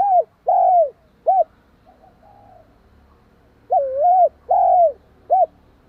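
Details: Spotted dove cooing to provoke and stimulate another dove: a drawn coo and short note, a faint distant coo, then a full phrase of a wavering double coo, a long falling coo and a clipped final note, over light background noise.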